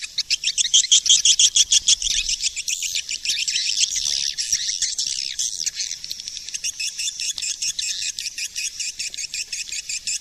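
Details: High, buzzy swiftlet twittering used as a lure call, recorded in 2020. Fast chirps pour out at about three per second, loud at the start, then a steadier chattering stream.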